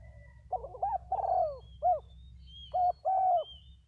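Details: A decoy spotted dove, one of two, sings loud cooing phrases: bouncy double notes, a long sliding coo, then a clipped final note. A second burst follows quickly, with faint high chirps from other birds and a low hum.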